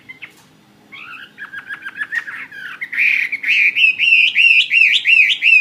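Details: Fighting-type Chinese hwamei, caged, starts with soft scattered notes, then a run of sharp falling chips, and swells into loud, looping whistled phrases repeated rapidly and evenly.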